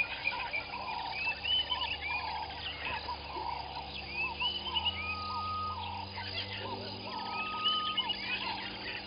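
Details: Southern masked weavers at their nests by Gowrie dam waterhole, Djuma Game Reserve, Sabi Sand, South Africa, 05:23 on 15 January 2021: busy, buzzy, sizzling chatter with quick rising whistles from several overlapping birds over a low hum.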